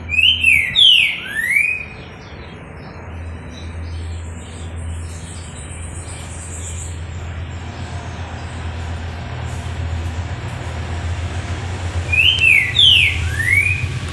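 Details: A captive Green-winged saltator (Saltator similis) gives two loud, clear whistled phrases of sweeping notes about ten seconds apart, over a steady low engine-like hum.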